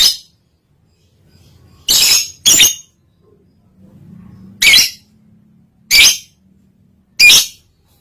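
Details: Lovebird in breeding condition, recorded as training audio for other lovebirds: six short, harsh, shrill chirps at uneven gaps of about half a second to one and a half seconds, with a faint low hum between bursts.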